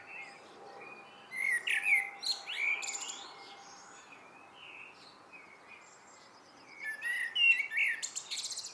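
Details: Common blackbird giving its evening song: two separate bouts of rich, fluted warbles mixed with high chittering flourishes, split by several seconds of quiet with a low steady hum behind.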